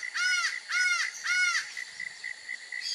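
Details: Laughing falcon, known in Brazil as acauã, whose song folklore calls an omen of bad luck: three loud, harsh, arched notes with rich harmonics, about half a second apart, over a steady pulsing insect trill.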